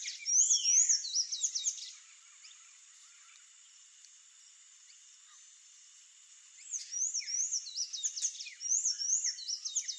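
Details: Palm tanager (sanhaço-do-coqueiro) singing: bursts of high, squeaky, rapid up-slurred notes for about two seconds, a pause, then another fast twittering phrase, with a steady high background hiss.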